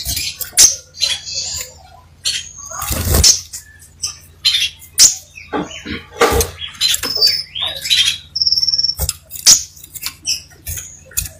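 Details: Crimson sunbird, locally called sepah raja, singing actively: a busy run of thin, high chirps, short whistled notes and trills, broken by sharp clicks and rustles, over a steady low electrical hum.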